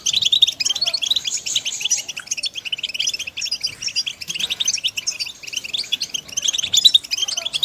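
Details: Group calls of European goldfinches, played to motivate birds: persistent high twittering and buzzy chirps from several callers, swelling and easing in waves.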